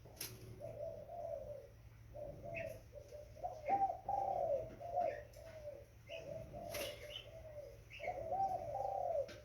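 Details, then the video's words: Spotted dove, a young bird, producing repeated low mellow coo phrases lasting one to two seconds each, separated by short pauses; occasional high chirps and clicks, plus a continuous low hum. "Burung tekukur Muda"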